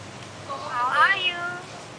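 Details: Common hill myna kept as the talking 'receptionist' of a house in Hua Hin, mimicking human greetings: a short, voice-like phrase of harmonic tones gliding upward around the middle, with faint room noise.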